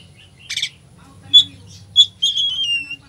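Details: An Oriental magpie-robin's 'isian' song, used to excite a sluggish bird: one harsh rasping burst, then clear sharp whistles and a long, slightly descending whistled note with a thin overtone, over a quiet low hum.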